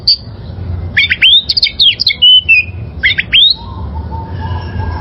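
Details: Wild oriental magpie-robin song for training caged birds: a fast tumble of rising and falling whistled notes, a pause, another short burst, then a faint steady lower tone.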